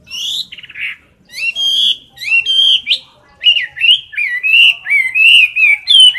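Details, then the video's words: Chinese hwamei, kept in a cage and filmed up close, gives a fighting song: a buzzy rattle, then varied whistled phrases, some clipped and some swooping, delivered in quick succession. "Mi mơ hót đấu cực "Đỉnh""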